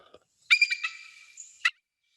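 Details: Bald eagle in Michigan giving a thin, high giggling call: a quick stutter of squeaky notes, a drawn-out whine, then one sharp final squeak.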